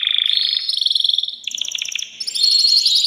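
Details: Excited male canary in a cage, singing to bring a female into breeding condition; rapid pulsed trills delivered several times a second, jumping from one pitch level to another in short tours.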